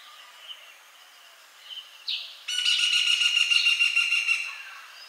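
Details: Male Indian paradise flycatcher, a species with rufous and white colour morphs, from deciduous forest and groves: faint thin notes, then a harsh rasping buzzy call with a rapid pulsed texture lasting about two seconds.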